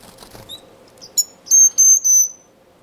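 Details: Male blue-capped cordon-bleu singing in an indoor, non-breeding community aviary in Edmonton, Canada, February 18, 2015: a brief phrase of a few high chips, then three thin, sustained whistles on one pitch, each about a third of a second long.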